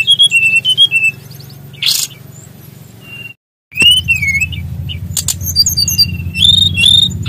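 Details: Brown-chested jungle flycatcher from Bali, singing vigorously in a rolling style: clear whistled notes wavering and dipping, a brief gap of silence, then looping slurred whistles and sharp high chips over a steady low hum.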